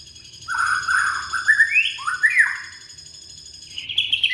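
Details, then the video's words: Young white-rumped shama from Indonesia, song used as a lure to start shamas that have stopped singing: rich whistled phrases, upslurred notes climbing in pitch, then a short high trill at the end. "Murai batu muda tunjukan pesona,cocok buat pancingan murai macet bunyi"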